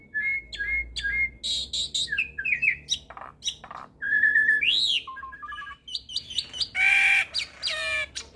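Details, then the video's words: Hybrid starling in full, lively song packed with borrowed phrases, kept as a tutor for pied starlings and other songbirds: clear level whistles, slurred rising notes, and harsh buzzy bursts in quick varied succession. "Jalak Silangan gacor Full Isian Pas Untuk Masteran Jalak Suren dan Burung Kicau lainnya"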